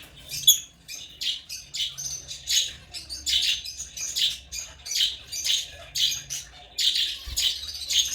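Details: African lovebirds chirping: scratchy, high-pitched squeaks and chatters in quick irregular bursts, becoming denser toward the middle, with a soft thump near the end.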